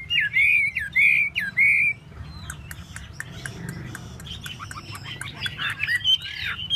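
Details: Chinese hwamei in a tail-spreading dance: three loud, rich whistled phrases, then softer clicking and chattering notes before the song picks up again.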